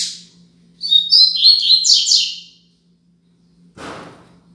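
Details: Double-collared seedeater singing the Braddock 'Tui Tui Zel Zel Top' style, used as a tutor song for teaching young birds: a rapid run of high, bright chirped and trilled notes lasting under two seconds, then a short rough burst of noise.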